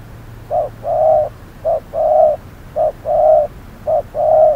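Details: Spotted dove calling as a decoy in trapping at hot noon. Regular low coos, short note then longer note, four pairs in a row at a steady rhythm, with faint low background hum.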